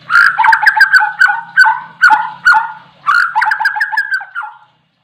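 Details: Oriental magpie-robin singing energetically: clustered chirping phrases of short, slightly descending whistles in bursts, with brief pauses between groups.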